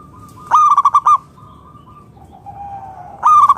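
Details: Local zebra dove, a frequent singer, used to call other doves into song: a quick rolling run of six bright staccato coos, a soft sustained lower coo, then another burst beginning.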